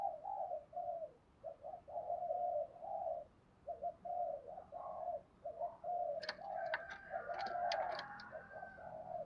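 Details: A decoy spotted dove with a thổ sấm voice repeats low, mellow thúc gù coos in a steady run of short hummed phrases. Hiss sits underneath, and brief high chirps and clicks from other sources appear near the end.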